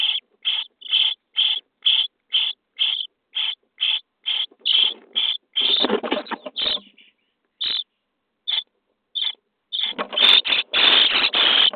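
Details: Common starling chicks in a nest box, day 23, being fed. A quick run of rasping begging notes builds into a noisy, churning outburst, pauses to a few sparse rasps, then swells again into a loud scrambling chorus.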